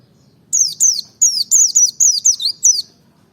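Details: Merapi ngalas white-eye, a lure song meant to provoke other white-eyes to sing: a quick run of nine high, sharply down-slurred chirps, each note falling steeply, delivered in a steady burst of about two and a half seconds.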